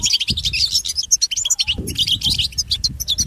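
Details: Pet-training recording of goldfinch song: a fast run of sharp, high twittering notes that pauses briefly near one and a half seconds, then resumes as a tight jumble of liquid chirps, over a faint rumble.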